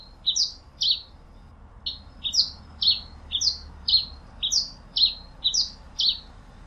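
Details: Pileated finch song: a lively run of short, high, sharply downslurred chirps, often paired, repeated about twice per second with uneven spacing over a quiet low background hum.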